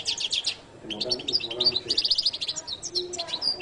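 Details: Goldfinch delivering jilguero latino song: a quick burst of buzzy notes, a brief lull, then a steady stream of sparkling high chirps and rattling trills.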